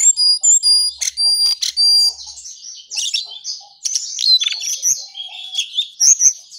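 A Brown songlark gives a lively, high, scratchy song: a rapid tumble of thin whistles, chirps and buzzy notes, running almost without pause.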